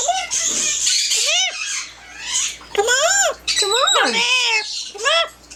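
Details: Indoor pet yellow-naped amazon chattering word-like phrases: repeated arched rising-then-falling syllables in clusters, separated by short quiet gaps, some with a rough, breathy edge.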